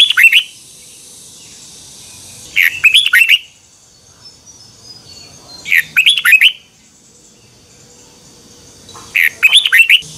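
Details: Red-whiskered bulbul, morning song in the twisting double-voice style, 2021, used as lure sound to train birds: four evenly spaced phrases of fast, bubbling, slurred whistles, each about a second long, gaps of roughly three seconds.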